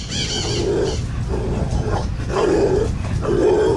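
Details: Picazuro pigeon (Patagioenas picazuro) in Rio de Janeiro, Brazil, giving deep, hollow coos, a low note repeated roughly once a second, over a steady low rumble and a brief rustle at the start.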